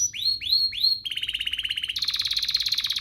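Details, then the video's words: Canary song played to trigger other canaries into singing: three rising swooped whistles, then a fast pulsed mid-pitch trill followed by a higher, quicker rattling roll. "Pancingan ini EFEKTIF BANGET, burung kenari lain langsung terpancing untuk GACOR"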